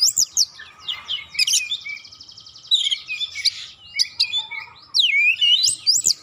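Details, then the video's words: Oriental magpie-robin song used as a lure to make slow birds sing: quick whistled slurs and sharp high notes, a scratchy buzzy passage in the middle, then clear rising and falling whistles. "PANCINGAN KACER lelet bunyi langsung gacor nembak rapat"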